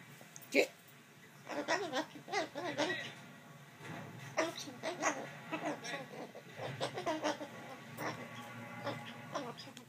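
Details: A pet umbrella cockatoo, after fighting a shoe on its owner's foot, scolds the owner in bursts of harsh, chattering squawks and grumbling notes, with a woman's voice speaking in between.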